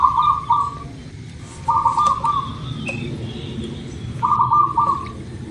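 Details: Local Indonesian zebra dove, lure to trigger quick singing: three rolling, bubbly coo phrases spaced one to two seconds apart, with faint background bird chirps and clicks.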